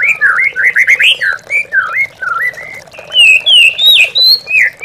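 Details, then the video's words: White-rumped shama lure song for mute or lazy captive birds: loud, clear whistled notes, a quick run of looping slurs then slower, spaced rising and falling whistles, with faint water trickling behind. "MURAI BATU MANDEK BUNYI"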